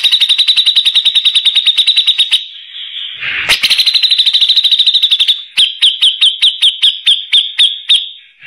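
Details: Grey-cheeked bulbul singing as a tutor for magpie-robins, valued for its rough voice: long rapid rattles of sharp high notes on one pitch, a brief harsh break, then slower spaced chips.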